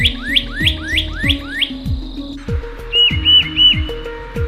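Northern Cardinal gives five clear, rising whistled slurs, about three per second, over background music; a different bird's short flat whistles follow.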